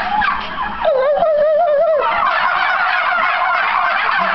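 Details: Several turkeys gobble back in response to people: a dense, continuous rattling chorus with one clear wavering, warbled gobble near the middle, overlapping chatter throughout.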